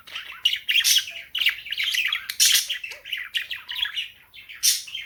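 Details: A female cockatiel in full morning song mixes bright whistles and squawks with the steady, scratchy chatter of budgerigars chiming in. The result is a busy, high-pitched flock chorus indoors.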